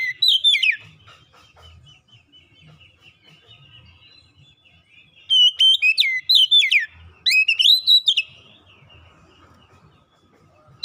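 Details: Kacer singing a lure song meant to draw out and stir quiet birds, with loud whistled phrases that slur down from high to middle pitch, in two bursts separated by quiet pauses and a faint low hum.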